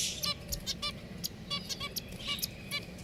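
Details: Captive pet finches call rapidly: brief, bright, nasal beeps with stacked overtones, about three per second from more than one bird, over a low steady background hum.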